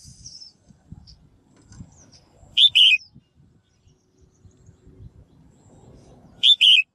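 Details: Female bird calling to encourage males to sing, giving two loud double calls about four seconds apart. Each is a sharp chip and a buzzy trill, with faint high twittering and quiet low noise between.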